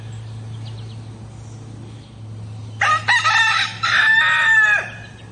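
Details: A rooster gives one loud crow after a few quiet seconds. It is broken into choppy pulses, then held, and ends in a falling tail. A low background hum runs throughout.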